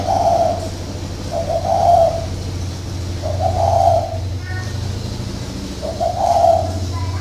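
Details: Spotted dove, a caged decoy bird in northern Vietnam, giving four low hollow coo phrases roughly every one and a half seconds over a constant low engine-like hum.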